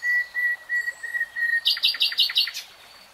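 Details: Common nightingale singing: a steady, pure whistled note held for over a second, then a fast run of about six loud, sharp repeated notes sliding downward.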